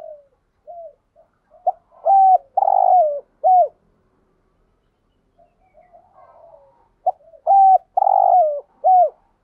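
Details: Spotted dove calling to provoke other doves. Two matching loud phrases, each a hooked coo, a long purr and a falling coo, are separated by a few seconds of quiet, soft murmurs.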